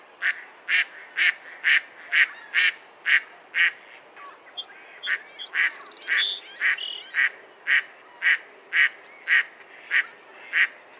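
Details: Mallard producing a rapid series of rough quacks, about two per second, briefly overlapped midway by a burst of higher chirping and squeaky sounds.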